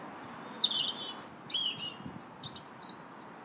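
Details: Robin song in a park, 2 March, made of varied high phrases: sliding squeaky notes, a clear mid-pitched whistle, then a rapid, high, rattling warble that drops toward the end.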